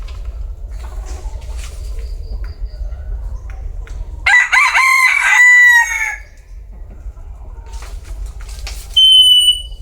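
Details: Crowing bantam rooster: one powerful crow of nearly two seconds, rough at the start and then held and slightly falling. A thin, high, steady whistle-like call follows near the end, with soft background noise throughout.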